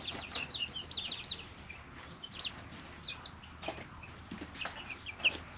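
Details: Brooder chicks, three weeks old, peeping in a quick cluster of high chirps at the start, then sparser single peeps over rustling and light tapping.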